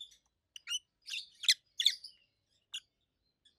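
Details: Quieter shrill chirps and raspy twitters from two adult caged rosy-faced lovebirds, green opaline and pallid aqua opaline, in irregular short bursts with brief pauses.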